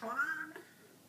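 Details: Pet talking parrot indoors, a single short harmonic rising-then-falling vocal sound under half a second, then quiet room tone.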